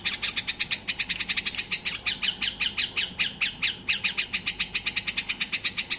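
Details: White-eared bulbul in full excitement, singing so other bulbuls will sing, pours out an unbroken rapid stream of sharp, even high notes, roughly six per second, for several seconds.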